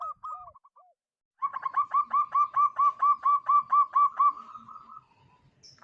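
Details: Local zebra dove, a strongly singing bird with a crystal-clear voice, used as a lure for other birds: a few soft coos, then a fast run of about a dozen ringing, evenly spaced coos.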